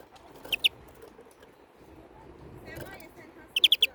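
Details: European greenfinch producing a pair of sharp chirps early on, a quiet stretch with faint murmuring, then a quick run of four bright, evenly spaced notes at the end.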